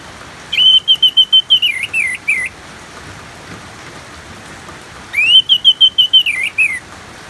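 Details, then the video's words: Orange-headed thrush in full ngeplong song with rain: two long phrases of a rising whistle then a fast series of evenly repeated clear notes, finishing with dropping wavering notes, against steady rain hiss. "Terapi ANIS MERAH Ngeplong dan Suara Hujan ALAMI"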